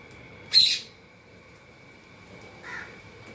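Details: Indian ringneck parakeet in a happy mood while eating: one loud, harsh, high screech followed two seconds later by a softer, shorter call, over a steady tonal hum.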